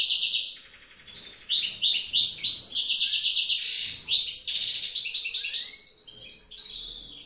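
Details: Evening song of a wild European goldfinch from a pair whose female incubates eggs: quick ringing twitters, a buzzy rattling passage, then a long sustained stream of jingling high notes fading near the end.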